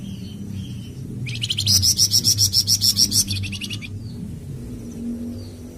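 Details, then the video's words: Flamboyan bird song for training and prompting captive birds: a single two-second burst of rapid, evenly pulsed buzzy notes, with faint soft whistles before and after and a low background hum. "Suara Kicauan Burung Flamboyan"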